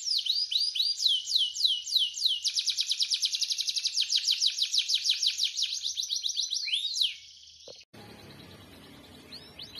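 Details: Canary singing gacor: long run of rapid, high, sharply down-slurred notes that tightens into a dense buzzy trill, ending with a few sweeps before a hissing background takes over.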